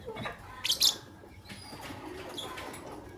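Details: Morning chirping of white albino and pastel green Fischer's lovebirds: two quick, shrill, squeaky notes in a short burst, followed by softer scattered rustles and faint high ticks.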